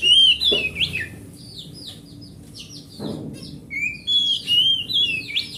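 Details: Forest-caught oriental magpie-robin, a large grade A bird, used to get mute magpie-robins singing; loud opening of sweet whistles and slurred notes, a subdued stretch with a knock, then rich whistled phrases again at the close.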